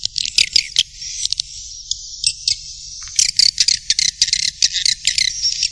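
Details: Swiftlet calling sound of the Black Panther type, meant to attract birds to a nest site's central area: bursts of sharp high chirps, then a thinner drawn-out twitter, then quick chirping clusters again over a soft low hum.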